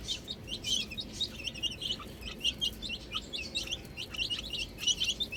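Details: Small chicken chicks playing with a ball make a dense, bright twittering of quick high cheeps from many birds together, continuous with little pause, over faint low hum.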